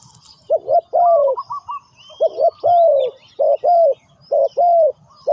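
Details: Spotted dove calling to lure wild birds as a ground decoy: loud, clear phrases of a quick double coo followed by a long husky downslurred coo, repeated several times, with a brief run of short higher notes and faint birdsong.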